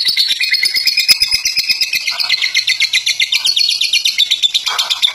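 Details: Fighter lovebird delivering a long ngekek of rapid, shrill, twittering notes in a steady pulse. Brief softer sounds appear midway.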